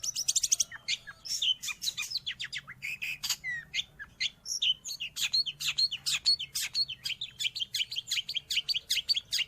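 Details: Long-tailed shrike, a recording meant to train pet birds or lure wild ones: a long, continuous stream of rapid chirps and scratchy notes, with repeated short sharp whistles toward the end, over soft low background noise.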